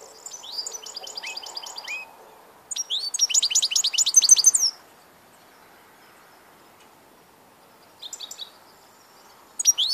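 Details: European goldfinch with bursts of fast high twittering song separated by long quiet gaps, the middle burst loudest, short chirps returning at the end.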